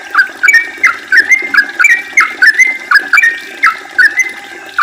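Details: Yellow-vented bulbul delivering a long 'ropel' song used as a lure to make other bulbuls sing actively: steady run of bright, bubbly notes, each swooping and sliding, repeated roughly twice a second without pause.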